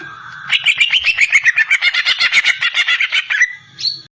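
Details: Greater green leafbird pouring out a loud, fast, steady series of about twenty similar chirping notes over three seconds, followed by one higher separate note.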